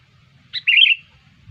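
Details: Bulbul-attracting lure call of a sooty-headed bulbul: a brief sharp note leading into a rich, rolling warble, all over within half a second, in near silence.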